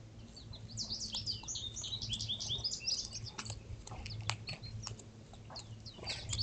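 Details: Peaceful outdoor birdsong around fallen seeds where squirrels feed. Rapid, high twittering chirps cluster in the first half, then thin to scattered notes. Sharp clicks and patter are mixed in, with a faint low hum.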